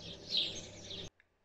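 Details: A male spotless starling in courtship display as a female arrives gives a dense, wheezy, crackling burst of high notes about a second long, then a brief pause and a faint chip.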